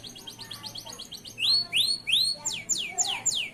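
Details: Male local canary in continuous song, a tutor for young canaries: soft quick chirps, then loud arched whistles and a run of steep descending sweeps.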